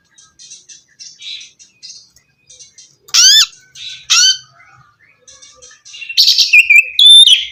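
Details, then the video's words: Oriental magpie-robin song used to get a non-singing bird going: soft repeated chattering notes, two loud rising sweeps, then a loud run of buzzy trills and whistles. "suara terapi kacer macet bunyi"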